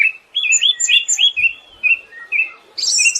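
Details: Siberian thrush singing a chain of bright, slurred whistles spaced under half a second apart, ending in a high, harsh buzz.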